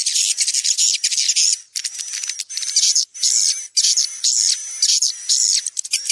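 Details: Swiftlet Woodstock-style lure call, a mix of about 20% chick and 80% adult swiftlet voices, played at bird houses to attract swiftlets; dense, high, buzzy chirps in rapid bursts separated by brief gaps, almost continuous twittering.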